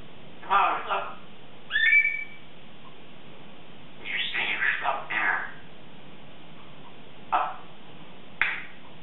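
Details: Morning chatter from a 3.5-year-old female Congo African grey parrot practicing her words indoors: bursts of word-like syllables, a clear rising whistle near two seconds, a run of chatter around four seconds, then short clipped calls.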